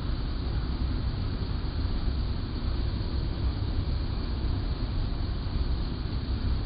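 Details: Low droning mechanical noise runs throughout, unbroken by any animal sound.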